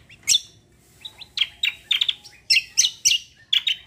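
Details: Cucak kombo in full gacor song: loud, sharp high chirps and clipped whistles delivered in fast, closely spaced bursts over four seconds.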